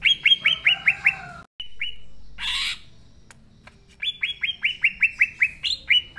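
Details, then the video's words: Green leafbird (cucak ijo) in full natural song, meant to lure young leafbirds into singing: fast bursts of bright, downward-slurred chirps, broken midway by a short rustling noise, then another brisk run of chirps with one higher note. "Cucak Ijo Gacor Suara Asli Cocok Buat Pancingan Cucak Ijo Yang Belom Mopeng & Trotol"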